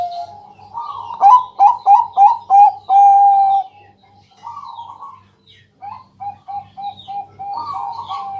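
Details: Zebra dove used as a night-time lure, its loud song meant to set other doves singing. Sharp stuttering coos rush together before a long clear note, then softer, spaced notes follow and build again.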